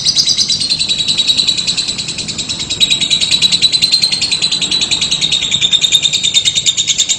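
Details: Lovebird giving a long trill, a fast, even, high-pitched chatter sustained throughout with a steady pulse and slight pitch wavering, loud and close.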